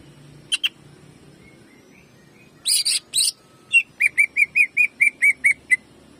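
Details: Greater green leafbird in a lure recording meant to excite other birds; a few scratchy bursts and harsh chattering notes, then a quick regular run of about nine clear whistled notes.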